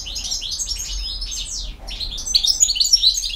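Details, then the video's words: European goldfinch in campero song, dense twittering and descending slurred notes, a brief gap, then sharp, high tinkling chirps in quick succession. "El Jilguero BiH 15"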